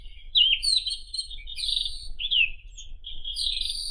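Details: White-throated Robin (Irania gutturalis) delivering quick warbled phrases with steep downslurred notes and high buzzy overtones, separated by brief pauses, over a soft low hum.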